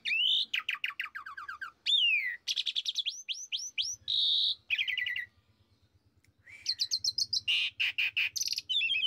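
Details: Lure song of an Asian pied starling, meant to excite another kept bird into singing: rapid sweeping whistles, buzzy notes and chattering series, a short silent pause midway, then renewed loud varied phrases over a faint low hum.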